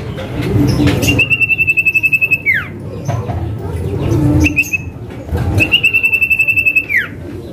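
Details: Male Common Iora giving the 'manggil nama' lure call: two long, evenly trembling whistles of about a second and a half each, ending in a steep downward slur, with a short whistle between and low rumble behind.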